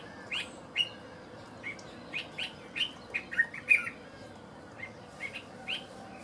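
A Dark-capped Bulbul gives about a dozen short, bright chirping notes at an uneven pace, some clustered into quick bursts, over a soft steady background hiss.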